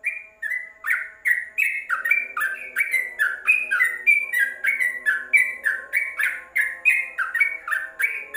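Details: Tutor recording of a yellow-vented bulbul inside a covered cage: fast sequence of clear, slurred chirps about three each second, rising and falling in pitch, over a soft background drone.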